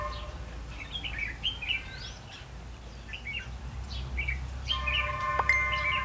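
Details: Decoy red-whiskered bulbul at a trapping site on 8 October 2016, giving bursts of bright, quick warbling notes in short phrases, with steady high tones and low-frequency background rumble.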